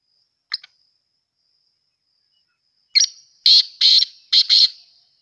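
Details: Black francolin, known locally as kala teetar, desi teetar or sindhi teetar: a short harsh note, a pause, then a grating phrase of four loud buzzy notes.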